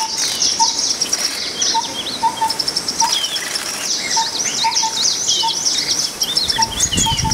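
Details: Green-tailed sunbird calling: quick, sharp high chips and thin twittering notes in busy bursts, over a steady low hum and a faint repeated low whistle note about every half second.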